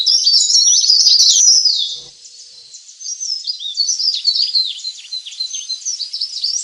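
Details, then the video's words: Leaf warbler lure recording, a mix of provoking and master calls used to attract wild birds: dense, high, twittering chirps and sweeping notes, loud for two seconds, then fainter rapid chirping that dips and rises. "suara pikat burung cikrak daun/ pare-pare ribut"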